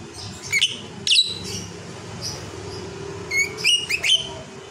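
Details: Lovebird sounding off while asleep: brief bright chirps and a few thin whistled notes, spaced irregularly, with a constant low hum underneath.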